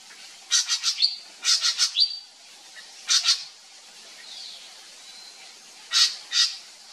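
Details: A drongo (Indonesian srigunting), possibly a kept bird, gives harsh, scratchy bursts of three or four rapid notes, with a thin whistled note between bursts and pauses of a second or more.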